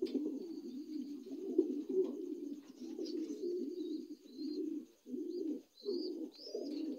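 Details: Lahore pigeons, new adults, coo almost without pause in low throaty phrases, the last few coos separated by short gaps, with thin high chirps of other birds in the background.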